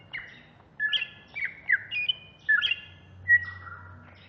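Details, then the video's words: Greater green leafbird from Alas Purwo, caged and ready for contests, singing agitatedly in short bursts of harsh, squawky slurred notes mixed with whistles, separated by brief gaps. "Cucak Hijau Alas Purwo Ngamuk"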